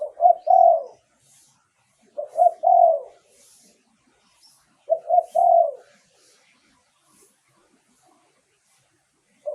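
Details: Spotted dove lure song used to draw in wild doves, a clear recording: three groups of low, soft cooing, each a short stutter of notes swelling into a longer rolling coo, spaced about two and a half seconds apart, with quiet surroundings.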